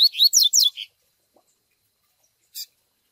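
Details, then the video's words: Double-collared seedeater recording of the tui tui zel zel song with chick peeping, used to train young brown males: a quick run of high rising whistled notes, then silence and one short sharp peep. "Tui Tui Zel Zel com Piado de Filhote Para Encarte de Coleiro Pardos"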